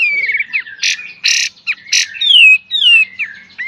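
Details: Kapas tembak in a training master song of the beset and tembak style: loud slurred whistles falling in pitch, interrupted by harsh noisy bursts, with short sliding whistled notes between.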